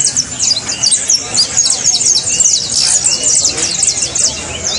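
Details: Saffron finch song recorded for playing to cage birds to train them to sing: a dense, continuous run of quick, high chirps and twittering notes, overlapping throughout with no pauses, over a faint low background hum.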